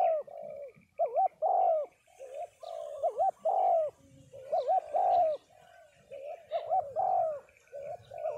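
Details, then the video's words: Spotted doves at a gathering of cooing doves in Đồng Tháp, Vietnam: several birds give overlapping low, mellow coos with short hooked notes, repeated in irregular phrases, with a faint background hum. "Giao Lưu Các Cu gáy Đồng Tháp"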